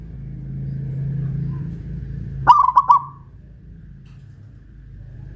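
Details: Local Pajajaran zebra dove, caged and hoisted aloft in Kuningan, West Java: after a low background hum, one crisp rolling burst of quick cooing notes, with another phrase just starting at the end.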